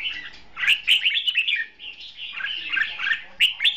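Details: Trap-duel decoy red-whiskered bulbul pouring out a loud, dense dueling song: continuous bubbling whistled warbles with sharp accented notes. Sound carries almost without pause across the whole stretch.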